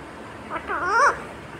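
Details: Talking parrot saying words like "mummy" or "papa": one brief, wavering, voice-like utterance with bending pitch in a quiet indoor room.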